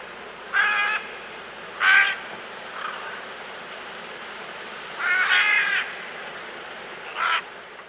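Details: Great green macaws, locally called Gran Lapa Verde de Talamanca, feeding in the wild in Costa Rica. They give four harsh, raucous squawks in separate bursts over eight seconds, over a steady low background hum.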